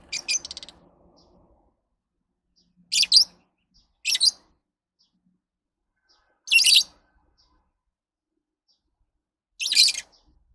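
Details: Lovebird calling in sharp, high, rasping chirps, some doubled, spaced two to three seconds apart, five bursts in all, with a faint lower twittering at the start and silence between.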